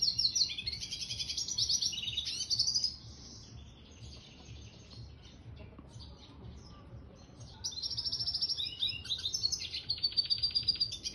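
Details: Red siskin mule singing in lively 'gacor' form: two long bursts of rapid, high twittering trills and warbled notes, roughly three seconds at the start and again from about seven seconds on, with a quiet pause between.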